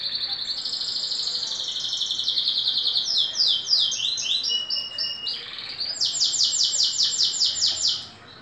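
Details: Moulting green canary, two years old, in full song: a steady high whistled tone, then cascades of rapidly repeated falling notes, and a fast, evenly pulsed high trill before the song fades.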